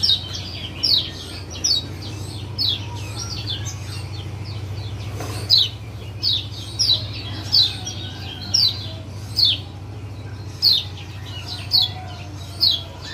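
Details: Lemon-bellied white-eye male of the Lombok form giving ciak calls meant to stir a silent caged bird to sing: short, sharp, high chirps repeated roughly every second over a steady low hum.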